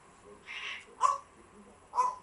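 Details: Grey parrot kept as a pet, calling indoors: a soft breathy note followed by two short, clear tonal squawks spaced about a second apart.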